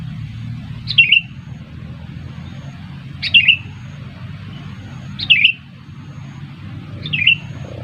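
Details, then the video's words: Lure call of the sooty-headed bulbul for bird trapping: four short bubbling phrases of quick falling whistles, repeated roughly every two seconds over low steady noise. "Pikat kutilang jitu _ pikat burung kutilang seru"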